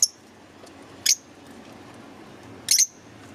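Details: A green Fischer's lovebird gives three brief, shrill, very high chirps spaced about a second or more apart, over a quiet indoor background.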